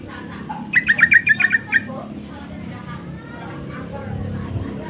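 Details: Sooty-headed bulbul lure call, meant to draw other bulbuls into answering, given insistently: a quick run of about seven bright chattering notes over one second, then low background rumble and faint other bird sounds.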